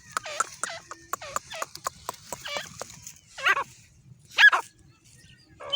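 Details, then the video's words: Female grey francolin (teetar) gives a quick series of harsh, yelping notes that curve up then down, then a few louder, squealing calls after short pauses. "Grey francolin Female Speaking | grey partridge Female sound"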